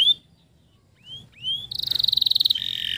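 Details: Male canary singing, used to stimulate stressed canaries that have stopped singing: a few thin rising whistled slurs, then a fast buzzy high trill ending in a steady bright tone.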